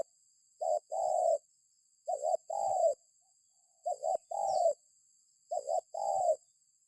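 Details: Repeated spotted dove coos played to draw other birds into calling: each phrase two quick soft notes then a longer mellow coo, about four phrases in seven seconds over a constant thin high tone.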